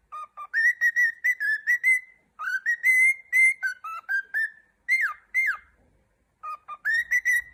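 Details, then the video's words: Pet male cockatiel whistling its song with its owner: long runs of level and rising whistles mixed with steep downward slurs, a brief gap, then the phrase starts again. "Adorable Cockatiel Jojo Sings and Shares Fun Moments"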